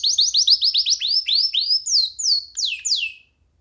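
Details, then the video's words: Canary sitting on a hand sings a rapid series of downslurred whistles that gradually slow into four longer, louder falling sweeps before silence. "Canary singing freely on sitting on d hand"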